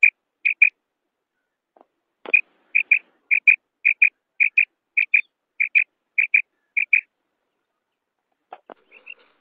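Female common quail giving about ten paired, high, clipped notes, each pair about every half second, with a couple of dull knocks.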